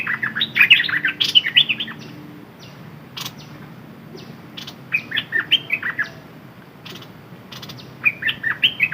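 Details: Decoy red-whiskered bulbul repeating cheerful, bubbly whistled phrases of several quick notes every few seconds, over constant noisy background hiss with occasional clicks.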